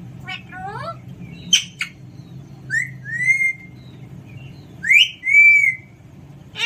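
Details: Pet Alexandrine parakeet producing clear whistled notes, some sliding downward and others drawn out and level, mixed with a brief harsh burst, against a low background hum.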